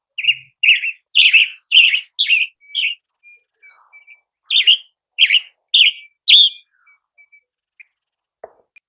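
Western Tanager song: hoarse, burry robin-like phrases delivered in two bursts of five or six notes each, about one note every half second, with a few soft chips between.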